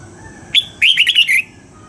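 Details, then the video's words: Red-whiskered bulbul dawn song, double-note wild style used to train birds: one clear whistle, then a brief pause and a rapid string of four slurred whistled notes, loud and close. "Luyện giọng cho chào mào hót sáng, ép chào mào hót âm kép già rừng hay tuyệt!"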